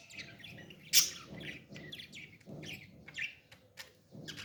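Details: Baby parrot begging while being fed, giving repeated harsh, broadband chirps and squawks in irregular bursts, with soft low rustling beneath.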